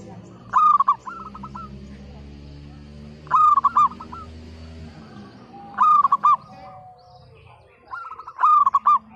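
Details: Local zebra dove singing loudly, meant to coax silent, reluctant birds into song: four phrases, each a quick stuttering burst of coos trailing into a lower purring roll, spaced nearly three seconds apart, with faint distant cooing between.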